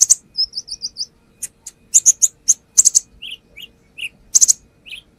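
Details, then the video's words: Brown-throated sunbird song for luring, the bird in full voice showing off its fill-in phrases: a high opening burst, a row of about five short whistles, clusters of sharp ticks and lower whistled notes. "AKSI KONIN NAGEN BONGKAR ISIAN | Pancingan konin"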